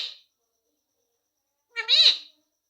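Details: Pet ring-necked parakeet, taught to say "mummy papa": one harsh, buzzy, harmonic-rich vocalization rising then falling, about half a second long, with a brief faint note at the start, in an otherwise silent room.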